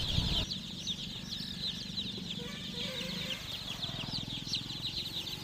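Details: Massed chicken chicks giving quick high chirps that blend into a constant twittering, a short loud knock at the start and a droning hum beneath.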